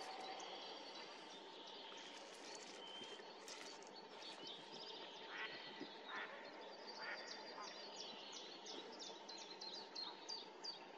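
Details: Common snipe calling at Tranholen in 2024: a long series of short, high, hooked notes that repeat steadily over a constant hum, with a few lower broadband bursts midway.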